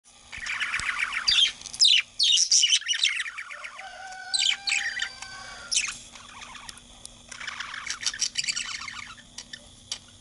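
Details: Male budgerigar chattering in a continuous, busy warble of scratchy chirps and squeaks, with a few longer, smooth whistled notes, under a steady low background hum.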